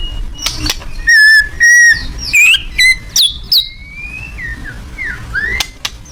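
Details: Loud song of a white-rumped shama: clear whistled phrases near mid pitch, some sliding high notes and sharp clicks, about a dozen notes in six seconds, with a low background hum.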